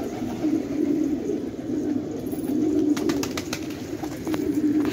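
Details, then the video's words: Several fighting pigeons in a village at Khan Abad, Afghanistan, give drawn-out low coos in waves, with a few sharp taps and a brief flutter of wings midway. "کفتر های جنگی پرشی در خانه آباد"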